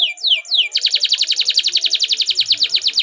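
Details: Canary song played to provoke a caged bird into singing: a few descending slurred whistles, then a fast, even trill of buzzy repeated notes, roughly four per second.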